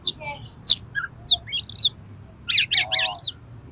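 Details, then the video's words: Oriental magpie-robin in fighting mood, highly aroused, singing to provoke rivals: scattered sharp high whistles and chips, then a dense cluster of rapid scratchy notes near the end, with a faint lower murmur beneath. "KACER TARUNG EMOSI TINGGI !!! PASTI LANGSUNG BUKA EKOR KACER MANAPAUN MENDENGAR INI"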